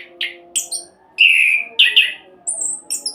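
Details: Short stretch of orange-headed thrush roll song, played to set other birds singing: a few separate phrases, including a loud sustained warbled note and crisp high whistles, with gaps and a low hum.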